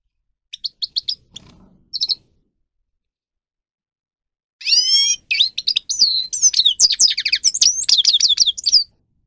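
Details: Grey-crowned goldfinch for song training, a few spaced chirps first, then after a pause a long, loud outpouring of rapid twittering, sliding whistled notes and buzzy trills.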